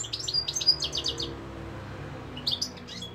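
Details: European goldfinch singing, Algeria: a fast run of bright, twittering chirps and buzzy notes for over a second, a pause with low background hum, then another short burst of tinkling notes.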